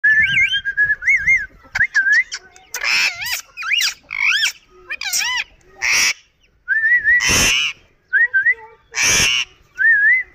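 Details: Green rose-ringed parakeet, locally called Kashmiri tota, talking in a raw recording: loud, speech-like phrases with clear harmonics, mixed with short rising whistled notes and bursts of harsh, broadband squawks.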